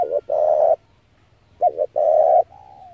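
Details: Spotted dove used as a trapping lure: a loud sustained coo, then after a pause a stuttering double note and another long, rough coo. A softer falling coo follows.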